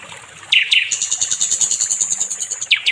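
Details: Sikatan londo nightingale training song: two descending whistled notes lead into a very high, rapidly pulsing buzzy trill lasting about two seconds, closed by two more falling whistles.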